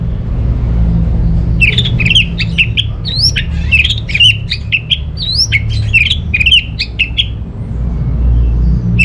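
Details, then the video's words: Caged orange-headed thrush from Singaraja, northern Bali, singing to coax quiet birds at home: a quick chattering run of short whistled and clicking notes with upslurred squeaks, steady low room hum beneath. "ANIS MERAH Mau Nyaut Gacor❗❗❗Pancingan Ampuh Buat Burung Dirumah yang lagi Malas Bunyi"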